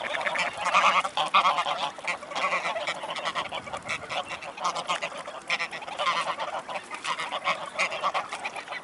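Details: Mute swans at Dresden-Blasewitz, Germany, on 5 December 2018 at 16:32: a dense, unbroken chorus of overlapping hoarse, nasal honks and chatter from many waterfowl, with louder bursts near one and six seconds.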